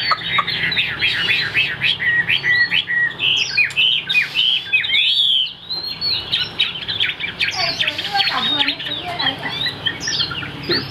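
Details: Caged Chinese hwamei, a large-framed bird with a fig-leaf-shaped tail said to sing very well and high, pours out a fast, dense run of rising and falling whistled notes, briefly pausing midway before resuming with rapid chattering phrases.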